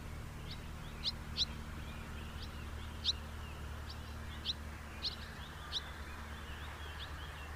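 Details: House martin giving short, sharp, high chirps, about eight scattered across the stretch, some in quick pairs, over a steady low background hum.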